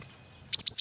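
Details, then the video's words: Singing male cinereous tit used as a lure: three rapid high, slightly rising whistled notes repeated in quick succession after a short silence. "Burung Gelatik Batu jantan||Burung Gel wingko Gacor Variasi Buat Pancingan"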